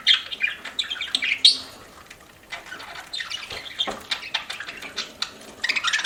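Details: Eating pet budgie giving bright twittering chirps and a few rising squeaks at first, then quieter scratchy pecking sounds before the chatter picks up again.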